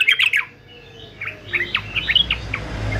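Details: Male yellow-vented bulbul in fighter style, used for singing training: a quick burst of bright chirped notes, a short pause, then scattered slurred notes that rise and fall, over a low background rumble.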